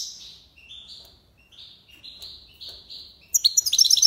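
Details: Goldfinch (maqnin) song of the tiwawati and lipasad styles: a series of separate, clear rising whistled notes repeated about twice a second, then a sudden loud, fast metallic twitter at the end.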